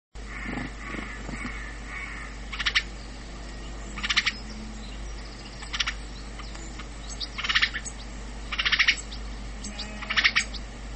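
A house sparrow gives harsh, buzzy chirps, single or in short clusters, every one to two seconds, over a steady low rumble.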